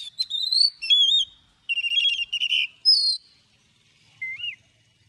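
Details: Morning song of an Oriental magpie-robin in the long-drawn forest-voice style, used in training: loud, clear whistles and warbled phrases in bursts, then a pause and one soft, looping whistled note.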